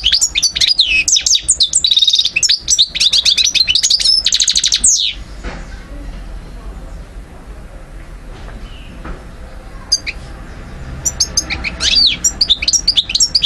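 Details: A European goldfinch in Algeria, 2012, sings a fast, high, tinkling twitter of liquid notes and buzzy trills for about five seconds, pauses, then resumes briefly.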